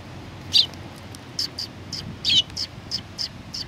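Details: Sparrows arriving to be fed at a Tenmangu shrine on 19 September 2020. Short, high, sharp chirps come in loose bursts, about eight over a few seconds, with faint low background rumble.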